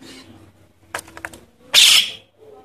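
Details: Javan myna chick, recorded for use as a lure to attract adult birds: a single harsh, rasping screech about a third of a second long, preceded by a few faint clicks and low background hum.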